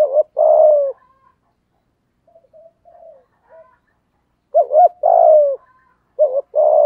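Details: Spotted dove singing in the deep 'thổ' voice style, played to agitate stubborn wild doves into calling: low hooting coos in two bursts, each a short double note and a long sliding phrase, separated by a quiet pause.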